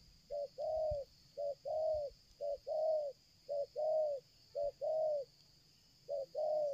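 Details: Nonstop calling of a spotted dove coming closer during bird luring: clipped short note followed by a fuller, slightly arched coo, the pair repeated in an even rhythm roughly once a second against a quiet background.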